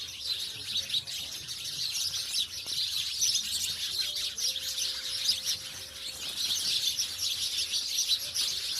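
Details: Sparrows living in a village rather than the city keep up a lively high twittering chorus of countless short chirps, with a faint steady low tone underneath.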